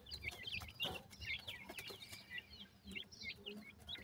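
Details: Partridge chicks during feeding; quick thin high peeps and twittering chirps repeated throughout, faint and over a steady background hiss.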